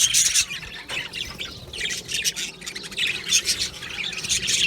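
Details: A colony of budgerigars in an aviary with squawky, grating chirps and warbles in loud bursts, continuous flock chatter beneath them throughout.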